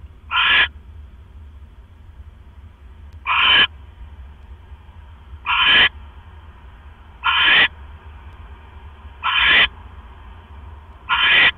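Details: Evening owl calls on 18 October 2015 around a rat delivery from male to female; six brief, grating hissed bursts spread irregularly, roughly every two seconds, with a low background drone.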